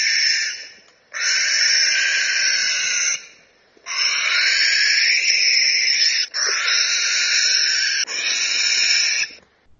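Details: Barn owl screaming: four long, harsh, hissing shrieks of about two seconds each, rough and breathy, separated by short silences.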